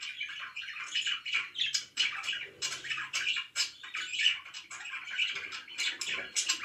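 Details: Pet budgerigars chirping in the morning: busy, overlapping chatter of bright warbled and squawky notes with no pauses, rising and falling in loudness.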